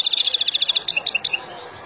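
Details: Wild European goldfinch, sung to teach young birds: a dense, rapid trill of high tinkling notes that turns into a few separate, sweeter chirps and then fades out.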